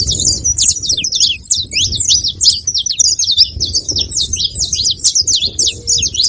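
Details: Saffron finch giving a dense, unbroken run of sharp, high chirps and short slurred notes. Many rapid notes overlap across the whole stretch, over a faint low rumble.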